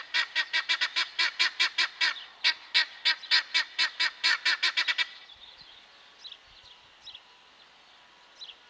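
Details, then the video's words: Helmeted guineafowl calling in a fast, steady run of harsh, buzzy notes for about five seconds, then falling quiet with only faint distant squeaks. "Éneklő gyöngytyúk"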